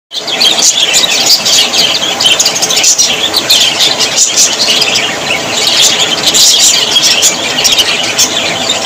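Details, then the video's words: Budgerigars, Australian parrots said to be very happy: a dense, unbroken wash of high chirps, squeaks and warbles from many birds overlapping, with sharp clicks popping out every second or so. "Australian parrots voice ☺️ Parrots very happy 😊"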